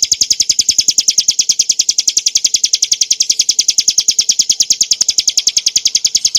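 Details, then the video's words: Clear cage-bird training song of the ciblek gunung (Bar-winged prinia): an insistent rattle of piercing high chip notes repeated very quickly and evenly throughout, without pauses or other noise. "kicauan burung ciblek gurun untuk masteran & pancingan - suara jernih ngebren nembak"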